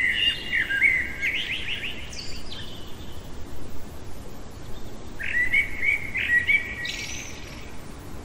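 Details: Blackbird singing deep in the night, delivering a mellow whistled phrase that breaks into a rapid high chattering flourish, then after a quiet gap a second fluty phrase with a thin high ending.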